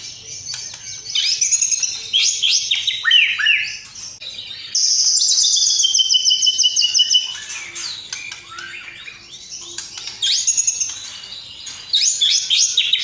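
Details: Long, varied White-rumped shama song for training other birds, mixing in house sparrow, lovebird and sooty-headed bulbul phrases; quick rich whistles and slurred notes give way to a sustained loud, high rattling trill, then more whistled phrases.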